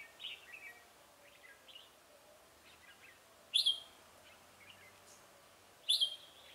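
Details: Red-whiskered bulbul used as a decoy while trapping on 17 November 2017: soft, warbled phrases at first, then two loud, sharp, ringing notes about two seconds apart, with quiet pauses between them.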